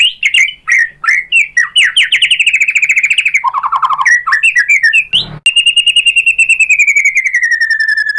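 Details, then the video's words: White-rumped shama singing as a lure to rouse other birds: loud varied chirps and a rapid trill, a lower warbled phrase, a short noisy burst, then a long fast trill gently falling in pitch. "SUARA MURAI BATU bikin EMOSI NYAUT jadi GACOR BONGKAR MATERI ISIAN ¦ PANCINGAN MURAI"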